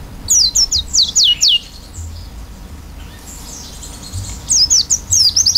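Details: Oriental white-eye singing in an energetic, varied style with an open beak: quick series of high, thin, sharply falling whistled notes, about five in a row, then a pause and another fast burst of similar notes.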